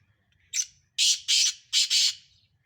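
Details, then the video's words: Black francolin, one of five Sindhi birds in a tough calling contest, gives a loud buzzy phrase: a faint thin lead-in, two long rasping notes, then a fast grating double note, over low background hum. "5 Sindhi Kala teetar sakht mukabala"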